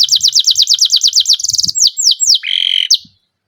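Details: Canary song in rapid trills of repeated descending notes, then a fast buzzy rattle near the end before stopping; faint low thumps underneath.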